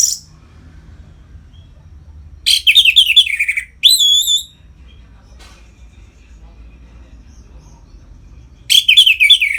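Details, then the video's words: Orange-headed thrush (anis merah) singing in ngeplong style, used as a lure to rouse captive birds into breeding condition: short bursts of bright, rapidly warbled notes around 2.5 s, 4 s and 9 s, separated by near-silence. "Suara Ngeplong ANIS MERAH Gacor Memancing Burung Agar Birahi dan Lanjut ke Tahap Teler"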